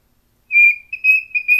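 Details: A young cockatiel sings to its reflection in a mirror, whistling a few clear, steady high notes in short phrases.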